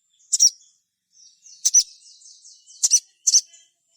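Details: High sogon song meant to draw other sogon into singing: four short, strident double-notes spaced about a second apart, linked by faint, thin warbling.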